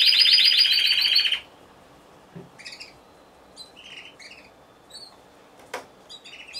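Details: Timbrado Español canary competing individually in a November 2015 singing contest, opening with a fast, loud pulsing trill that stops abruptly, followed by soft, sparse chirped notes.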